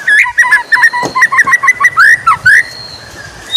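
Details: Morning song of a white-rumped shama: fast run of short whistled notes, then loud upward-sweeping whistles, ending in a faint thin tone.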